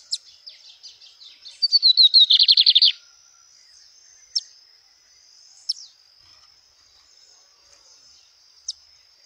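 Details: A Lined seedeater sings outdoors in nature: soft high notes lead into falling whistles, then a loud buzzy trill of rapid pulses lasting about a second, with a few isolated sharp chips afterward against a constant thin high tone.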